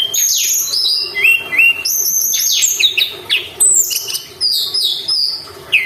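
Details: Sunda robin singing constantly as a lure meant to get caged songbirds worked up: quick descending sweeps and short level whistles pour out in varied phrases, with brief dips between bursts.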